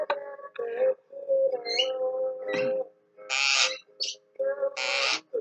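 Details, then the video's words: A pet Javan myna, on a morning, appears to call out names: nasal, speech-like tonal phrases broken by harsh rasping squawks in quick bursts, with soft background music. "JALAK KEBOKU MAMANGGIL TIARA DAN BIMO"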